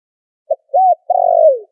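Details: Spotted dove lure call used to attract birds for trapping, noise-filtered: a short low coo, a rising-falling hooted note, then a long purring trilled coo sliding downward at the end, on a silent background.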